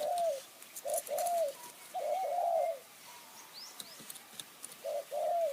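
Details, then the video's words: Cooing spotted dove, lured by a decoy bird in high mountain forest of Kanchanaburi, Thailand. Soft hollow phrases of a quick note and a longer falling coo repeat several times, while faint high chirps from other birds sound in the background. "ต่อนกเขาใหญ่ป่าสูง เมืองกาญ | คูอ่าง หนุนอ่าง คารมเรียกคําคูคํา"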